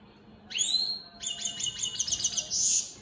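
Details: Opal split Satane European goldfinches singing: a rising whistled note, then a run of quick high twittering notes and a buzzy trill at the end.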